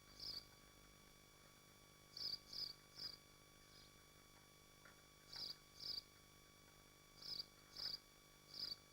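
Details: High, thin screeches from nesting swifts at Machynlleth, Dyfi Biosphere, recorded on a nest camera stream; brief buzzy bursts come in loose pairs and threes, about nine in all, over low electrical hum.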